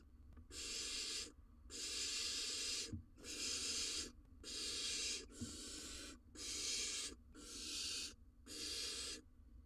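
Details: At an Israeli nest box during the breeding season, a barn owl nestling is fed a rodent by the male; eight rasping, breathy hisses come about every 1.2 seconds, with faint knocks in the gaps.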